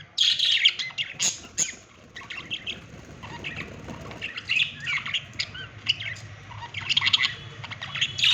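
Budgerigars chatter with quick, scratchy chirps and squeaky warbles in bright, overlapping bursts.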